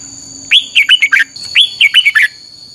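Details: Red-whiskered bulbul singing a 'căng lửa' style training song, used as lure-bird song for training other bulbuls: two quick phrases of four to five warbled, whistled notes, bending and dropping, separated by a pause, over a faint steady high tone.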